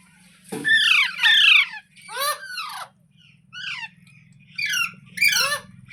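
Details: Green parrot, presented as talking: a run of about seven harsh, screechy squawks, some falling in pitch, loud and rasping, spaced irregularly over a steady low hum in a room.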